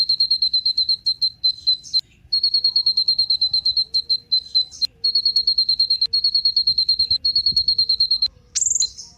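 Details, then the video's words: Sunbird called kolibri ninja, used to get other birds singing: a long, rapid train of clear high whistled notes on one pitch, briefly interrupted by short pauses, ending in a sharp rising squeak. "Kolibri Ninja Pancingan Penggacor Burung Cocok Buat Isian Segala Burung"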